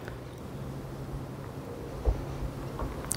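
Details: Soft chewing and biting noises over a low hum, with a single dull knock partway through and no animal voice.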